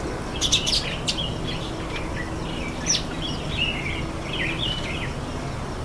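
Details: Red-faced mousebird at a birdbath giving a loose series of short, high whistled notes, some sliding down in pitch, after a couple of sharp splashy bursts at the start.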